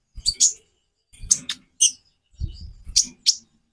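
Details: Konin, a sunbird kept by a bird keeper, singing a varied song: short high, thin, twittering bursts in groups of two or three, separated by brief pauses, with faint low thumps beneath.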